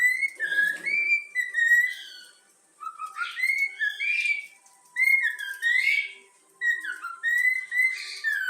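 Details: Yellow-cheek cockatiel youngster whistles the Flamengo football anthem: clear two-note slurred phrases repeated in bursts separated by short silences, with a faint steady tone beneath.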